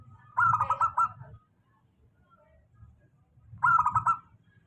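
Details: Steady song of a local zebra dove, used to coax quiet doves into singing: two rolling, rapidly pulsed cooing phrases about three seconds apart, with low background rumble.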